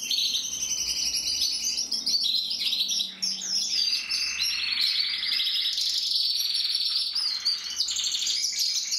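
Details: Song of a Gloster canary, a continuous high warbling stream of rapid trills and rolls with brief chirps layered above, sustained for the whole stretch with only a short dip in loudness.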